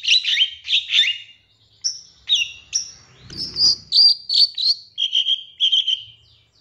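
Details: Long-tailed shrike master recording with 'tembakan' fills, meant to provoke other birds: scratchy doubled notes, then thin high whistles, followed by a quick run of sharp high notes and steadier, lower whistled chirps.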